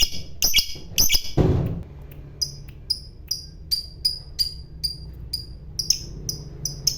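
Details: Fighter lovebird calls: a cluster of harsh notes and a brief thump-like noise at the start, then clean, high chirps repeated roughly every half second.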